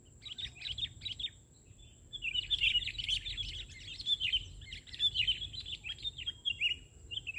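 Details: Sooty-headed bulbul singing lively during a bird-trapping session, the bird settling on the ground rather than a branch; rapid, bubbly runs of chattering, warbled phrases with short gaps, fuller and near-continuous in the second half, over low rumble and a steady high whine.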